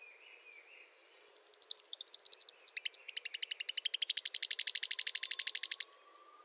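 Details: Sharp-billed treehunter singing a long, very high, dry trill of rapid ticking notes. It starts thin and uneven, then grows louder and steadier for several seconds before stopping abruptly, with a faint low whine underneath.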